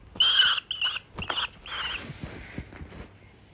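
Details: A rescued red goshawk chick, nearly ready for release, gives a few thin, high squealing calls in quick bursts over two seconds, then soft tapping and handling noises follow.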